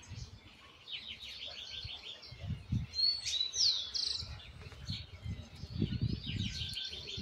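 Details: Young Argentine white goldfinch still learning its 'misisipi' style song, with flaws still to correct: bright, high trills and rapid chirps in fast repeated bursts, with one sharp sliding whistle midway, over low thumping background noise.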